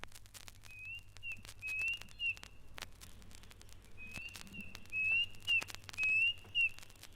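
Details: Klaas's cuckoo in East Africa gives high, plaintive whistled phrases of rising slurred notes in two runs, with sharp clicking snaps from a Chinspot Puffback flycatcher in the background.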